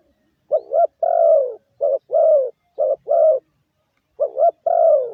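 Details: Spotted dove kept in a cage for luring, cooing in clear two-note phrases, a brief coo then a longer descending one, repeated four times with a pause before the last.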